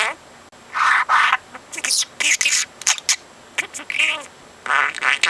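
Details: Four-month-old pet parrot talking on his own, stringing learned words into sentences and repeating conversations heard the day before; speech-like syllables in quick bursts, some buzzy, others clear and voice-like, separated by brief pauses.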